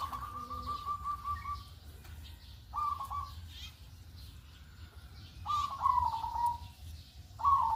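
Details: Local zebra dove cooing in the morning as a lure: several bursts of rapid purring coos, the longest stuttering and gently falling, separated by pauses, against a low humming background.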